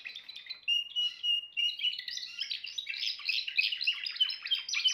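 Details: A Timbrado canary opens with a few clear whistled notes, then breaks into a dense, rapid rolling trill.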